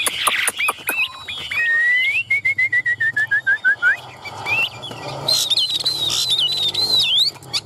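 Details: Chinese hwamei, caged in Vietnam and displaying with raised wings, starts with rapid high notes, then a descending series of short whistles, followed by a high steady warbling phrase.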